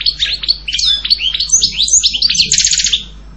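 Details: European goldfinch in continuous, fast, tinkling song: jumbled twitters and liquid notes run together, ending in a buzzy, rattling trill.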